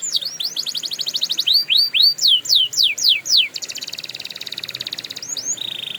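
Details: Canary singing a training song: a fast trill, then loud sweeping downward whistles, each about half a second long, then a dense buzzy roll and a steady high tone at the end.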